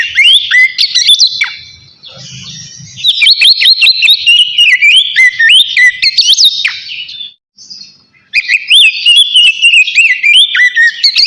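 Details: Oriental magpie-robin singing in the loud, open ngeplong style, calling a rival; bright, rich whistled phrases and quick slurred, warbling notes in fast varied bursts, with a brief pause in the middle before singing resumes.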